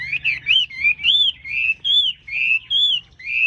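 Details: Singing wambi repeating clear, rounded whistled phrases that rise then fall, spaced by short pauses about every half second, over a faint low hum.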